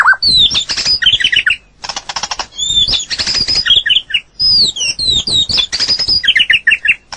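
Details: White-rumped shama in natural song: loud dry clicking rattles interspersed with high whistled swoops and quick descending chattering note groups, the pattern repeated several times in dense, energetic bursts.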